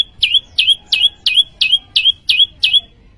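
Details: Prenjak lumut (prinia) singing gacor: eight loud, high, clipped chirps, each dropping then flicking upward, repeated at an even pace of about three per second in a quiet setting.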